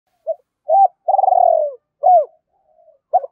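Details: Spotted dove cooing to provoke a rival: a short soft note, then a hooked note, a long rolling purr sliding downward, and another arched hook, all low and mellow, on a quiet background.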